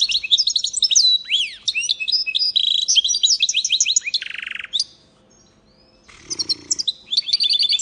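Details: Singing goldfinch and canary hybrid mule delivers rapid bright chirps, twangy slurs and a dense buzzy trill, falls silent for over a second, then resumes with quick sweet twittering phrases against a faint low thump.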